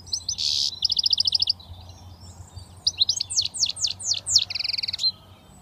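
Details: Young British goldfinch just starting to whistle runs buzzy notes, rapid trilled rattles and a series of bright downslurred chirps in a lively varied phrase, over faint steady hum.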